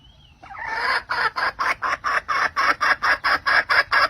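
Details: Late in the season a red junglefowl hen calls the rooster. After a faint opening, a series of hoarse, broad clucks builds and repeats roughly twice a second.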